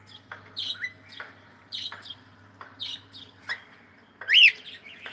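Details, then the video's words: Cockatiel singing while it plays: sharp clicks or taps about once a second, mixed with whistled chirps and a loud arched whistle near the end. "Cute Cockatiel singing and sound and playing"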